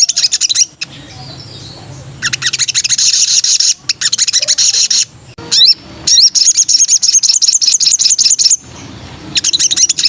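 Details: Sooty-headed bulbul female calling a male while in breeding condition: several bursts of fast, high, scratchy chattering broken by short silent gaps, with a quick sweeping note in the middle.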